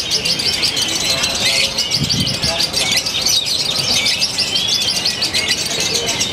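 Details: Lovebird from Purwakarta, Indonesia, singing in a fresh style with shortened pauses: rapid, piercing chattering trills running almost without a break, a brief dip midway, over murmuring people and background noise.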